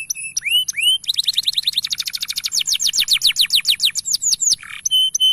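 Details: Male canary in loud full song, used for training young canaries to sing: clear whistled notes open, then a long rapid series of descending slurred notes at an even pace, with a brief rough buzz near the end.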